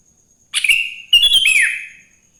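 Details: Sooty-headed bulbul in full morning song, recorded to stir other bulbuls into singing: two quick back-to-back bursts of rich, gurgling whistled notes, the second ending in a downward slur.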